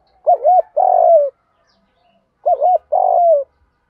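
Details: Spotted dove kept as a decoy to lure doves, calling 'gù thúc': two identical phrases, each a pair of short hooked coos and then a longer falling coo, spaced about two seconds apart.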